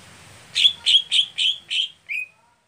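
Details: Greater green leafbird, a special setting for a contest bird that is slow to heat up. Five buzzy chirps come in a steady series, then one lower note after a short pause.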